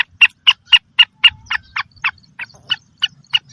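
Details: Calling female black francolin, whose voice is said to stir males: crisp, evenly spaced clicking notes, about four per second, softening toward the end over faint low background rumble.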